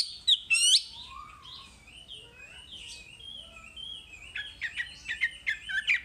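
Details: Wambi song for masteran, full material: two loud sharp whistled notes at first, a quieter rambling warble in the middle, then quick chirps and clicks building again toward the end.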